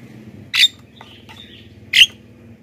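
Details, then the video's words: Black-winged myna, a lure recording for wild birds and an aid for training caged singers: two sharp, rasping squawks over a steady low mechanical hum, with soft whistled notes in between. "masteran JALAK KEBO super gacor,pancingan untuk bahan dan jalak yg malas bunyi"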